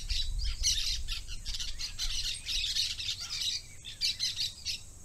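Parakeets chatter in harsh, rapid squawks and chirps, overlapping continuously with a few louder screeches, over a low background rumble.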